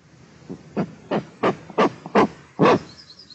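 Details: Eastern imperial eagle, one of a breeding pair in Tatarstan, Russia, filmed in Nizhnyaya Kama National Park on 13 May 2022. The female scolds at something with seven harsh barking notes, rising in loudness, about three per second.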